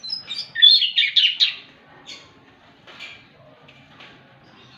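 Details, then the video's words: Orange-headed thrush singing in the morning, encouraging other thrushes to sing; a quick burst of scratchy, chattering notes in the first second and a half, then quieter scattered notes. "ngplong santai di pagi hari,,bikin terpanggil anis lain yang malas bunyi jadi ikutan bunyi."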